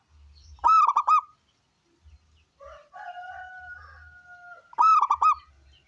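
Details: Local zebra dove with a big voice, played to coax other doves into singing; two loud rolling bursts of rapid cooing notes about four seconds apart, with a long drawn two-toned whistle-like note in between.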